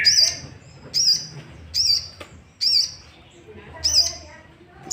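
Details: Sooty-headed bulbul provocation sound: five spaced high chirps with a flat tail, roughly one per second but unevenly timed, quiet low background between notes.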